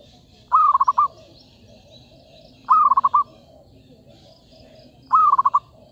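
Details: Zebra dove call used for trapping, given three times at roughly two-second gaps: each phrase a short cooing note followed by a quick staccato ripple of pulses, with a soft high-pitched hum in the background.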